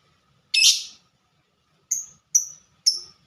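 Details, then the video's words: Lovebird described as a fighter and an ngetik (typing) singer: one harsh, buzzy chatter burst, a pause, then four clipped, high chips in quick succession. "Burung Lovebird Suara Ngetik Dan Sama² Fighter"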